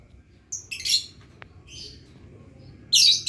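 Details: Lovebird practising its ngekek long trill: a few short, high, scratchy chirps, then a sudden louder harsh burst at the end, with a single soft click between them.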